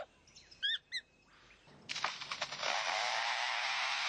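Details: A lyrebird, whose males use mimicry performances to attract females, gives two quick, bright chirped notes, then a long, harsh, mechanical-sounding rush of noise that carries on to the end.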